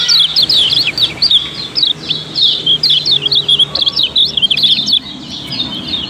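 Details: Kept yellow-bellied prinia from Lombok, played to provoke singing in other birds: bright, sharp, zigzagging chirps in bursts with short gaps, high and crowded, over a soft low drone.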